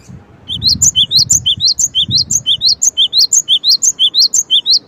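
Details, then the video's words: Cinereous tit singing a continuous fast series of crisp alternating notes, a lower whistle and a higher upswept note, repeated steadily for over four seconds, with faint low background noise. "suara gelatik batu"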